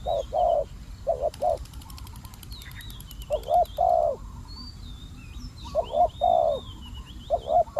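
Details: Spotted dove kept as a decoy to lure wild doves: short groups of low, hollow coos with pauses between them, while thin high whistles of other birds run faintly in the background.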